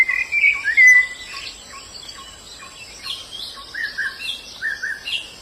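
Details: White-eye singing in the wild: a bright, slurred whistle phrase in the first second, then softer scattered chirps and short notes. A steady high insect hum runs underneath.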